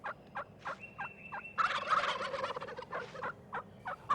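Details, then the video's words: An Eastern wild turkey tom gives a loud, rapid, rattling gobble of about two seconds, audible up to a mile away, among shorter yelping clucks; toms and hens call to locate each other for mating season. "a gobble can be heard up to a mile away but other calls can only be heard a few feet"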